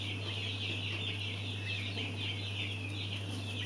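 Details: Mountain quail (Oreortyx pictus), chick calls.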